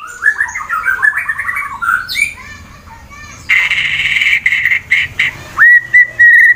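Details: Fighter-style white-rumped shama kept in Wonosobo, Central Java, Indonesia, singing to stir rivals: quick chattering whistles, then a harsh buzzy burst, ending in clear steady whistled notes repeated three times.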